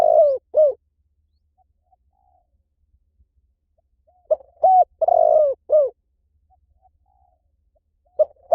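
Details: Spotted dove calls in a quiet setting, with the end of one phrase and then a full phrase: a soft lead-in note, a clear coo, a drawn-out burry note sliding down, and a dropping closing coo. There are silent gaps of several seconds between phrases.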